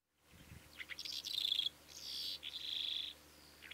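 Calandra lark singing a quick, high jumble of chirps, rattling trills and buzzy drawn-out notes, with a faint low hum underneath.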